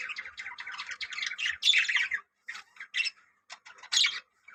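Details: A colony of yellow budgerigars chatter in a quick run of harsh squawks and warbling chirps, bunched together, then breaking into short separate bursts.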